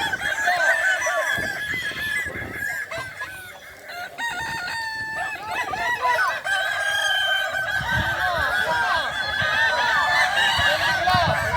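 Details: Competition-final crowing from Kukuak Balenggek cocks, boko class, at a Solok regency dairy farm. Dense overlapping crows with stepped, undulating syllables build to a loud continuous chorus, and a crowd is audible underneath.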